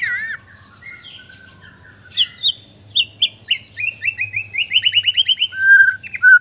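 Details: Borneo-type white-rumped shama from Sabah, kept and trained, delivers scattered whistled phrases building into a rapid series of repeated chirped notes, ending in long clear whistles; faint low hum in the background.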